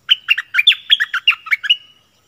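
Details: Decoy Streak-eared bulbul, recorded 16 February 2021. About ten sharp, liquid notes in under two seconds, each dipping and rising, ending in a faint thin trailing whistle.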